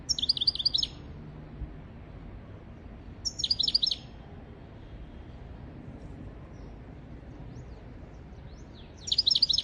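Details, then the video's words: European goldfinch song played to teach goldfinches and canaries: three short bursts of bright, tinkling high twitters, each under a second, spaced several seconds apart, with faint scattered thin notes between and steady low hiss. "تغريد طائر الحسون حفاضة لتعليم طيور الحسون والكناري بدون أخطاء"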